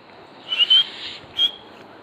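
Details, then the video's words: Black francolin (black partridge) giving sharp, high, whistled notes: a quick rising pair, then a single clipped note a moment later, over faint background hiss. "Black Partridge | Kala Teetar Voice"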